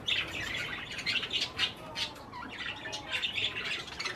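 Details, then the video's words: Several budgerigars munching cherry tomatoes keep up a steady, busy chatter of high chirps and warbled squeaks. "Parakeets likes Cherry tomatoes - Parkieten houden van cherry tomaat"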